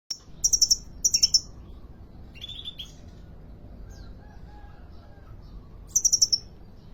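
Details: Kolibri ninja sunbird at a bird market in Depok, singing steadily: a few bursts of very high, rapid chipping notes near the start, a lower buzzy phrase, quiet faint notes, then another high chipping burst at the end.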